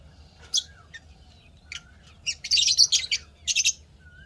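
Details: Chirping lovebirds in a happy mood, scattered single chirps building into a dense, harsh chattering burst, faint whistles and a low hum.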